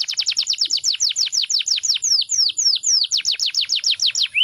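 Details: Canary song made of fast, evenly repeated downslurred chips, about five per second, slowing briefly in the middle before resuming and ending on a rising whistle; loud, close and clean.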